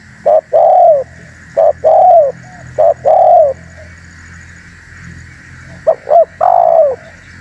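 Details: Spotted dove call used to lure wild doves and provoke rivals: a quick double note followed by a long, slightly falling coo, repeated three times, then a gap before a fourth phrase. A steady high hiss runs underneath.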